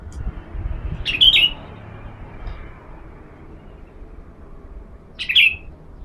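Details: Sooty-headed bulbul during a sunning session, its sound used as a lure for other birds: two loud, short, bright chirps about four seconds apart over a quiet background hum.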